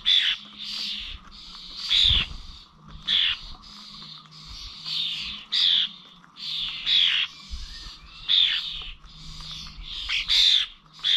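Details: Starlings gathered at Corby old village bird feeders, 21 November: repeated harsh, wheezy bursts roughly every second, some with short whistled notes, over a faint low hum.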